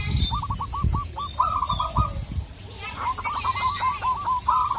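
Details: Local zebra dove calling a rival, two bursts of rapid, hooked cooing notes that trill downward in pitch then level off, while other birds chirp high in the background over a low rumble.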